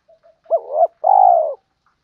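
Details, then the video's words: Spotted dove training lure call: faint soft notes lead into an arched hoot sliding into a wavering note, then a long steady burry rolling coo, with no other sounds. "Tiếng chim cu gay mồi gáy gọi, tiếng cu đất gáy hay"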